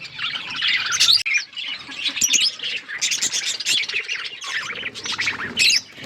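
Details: Pet budgies chirping: lively, overlapping warbles and squeaky chirps in bursts, with a brief cut after one second and loud rising squawks near the end.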